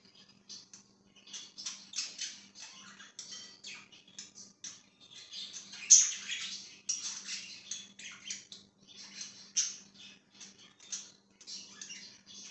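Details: Quiet, scratchy budgerigar chatter in a room, soft broken chirps with one brief sharp squeak midway and a low hum throughout.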